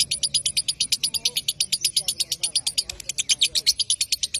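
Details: Lovebird giving a rapid chattering song meant to provoke rivals into ngekek singing: sharp high clicks repeated about six times a second for over four seconds, with faint low murmurs underneath.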